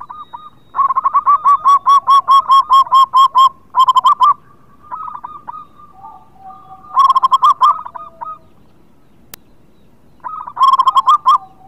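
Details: Local zebra dove singing vigorously, used to lure birds reluctant to sing: long runs of rapid, staccato cooing notes, the first lasting about three seconds, then shorter bursts, with other doves cooing softly in the background.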